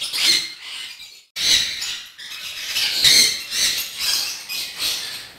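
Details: Sun conures on a bird farm give harsh, grating screeches in rapid overlapping bursts.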